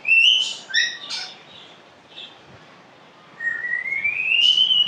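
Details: Pet African grey parrot giving two bright whistled notes with a short chatter at the start, then a long rising whistle that slides steadily upward near the end, with a quiet gap between them.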